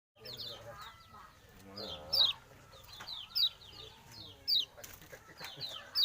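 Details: Tame, chatty oriental white-eye described as fierce, giving high, thin downslurred chirps in quick bursts, loudest notes roughly once a second, with lower clucking sounds and faint background noise.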